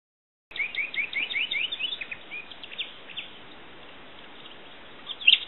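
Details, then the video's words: Common nightingale singing: a fast run of short upward-slurred notes, then scattered sharper notes and a pause, ending in a bright, loud note; soft background hiss throughout. "El canto del ruiseñor"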